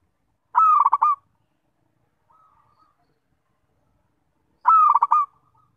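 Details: Local zebra dove, known as perkutut, delivers a sweet cooing song: a long first note breaking into a rapid run of low pulsed coos, repeated once after about four seconds, with a faint quiet phrase in between.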